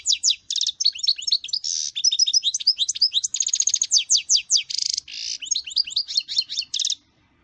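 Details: Goldfinch pouring out a lively seven-second twitter of sweet chirps, liquid notes and several harsh buzzy bursts, stopping abruptly before silence.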